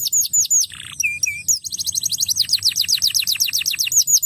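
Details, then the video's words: A crested canary sings to coax young canaries into song, with slurred high whistles, a short harsh note, two flat chirps, then a long quick string of evenly repeated notes. "KENARI JAMBUL MANTAP UNTUK PANCING BUNYI KENARI BAHAN"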